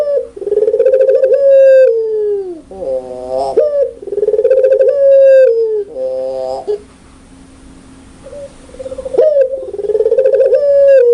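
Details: Very active puter pelung spotted dove calls repeatedly with a loud, clear voice: throbbing coos that stretch into long falling notes, separated by short buzzy notes, with a quiet pause before the final phrase.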